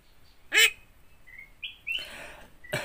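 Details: Yellow-eyed Javan myna (Acridotheres javanicus), tongue uncut, mimicking human speech: a harsh rasping burst, short clear whistles rising in pitch, then more scratchy chattering notes.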